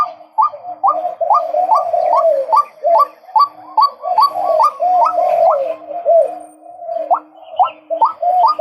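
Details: Male white-breasted waterhen calling steadily in repeated upward-sweeping croaking notes, about two or three per second. Around twenty notes come with a short lull near the end before the series resumes.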